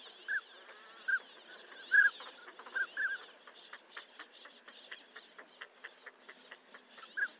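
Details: Northern pintail giving several brief fluty whistles in the first three seconds, then one near the end. Steady rapid clicking and raspy flock chatter fill the gaps throughout.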